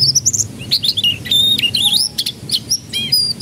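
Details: Canary song used as a lure to get young canaries to start singing: loud, fast, varied whistled notes and sweeping rising and falling phrases, some trilled, delivered almost without pause over a faint low hum.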